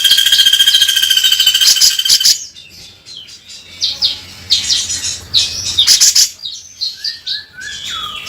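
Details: Bearded bulbul in energetic, harsh beset kasar song: a dense buzzing trill at first, then scattered scratchy chatter and a few short descending whistles near the end.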